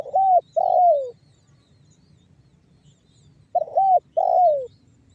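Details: Spotted dove lure call of the banggo bocor kind, meant to make other doves coo: two phrases, each a broken double coo followed by a long coo slurring down, separated by a silent gap of about two seconds.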